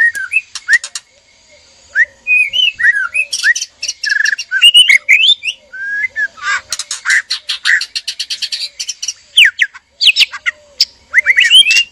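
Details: Mating call of a male and female white-rumped shama in a breeding cage: varied whistles and sweeping notes, then dense rattling buzzy bursts and sharp upward slurs.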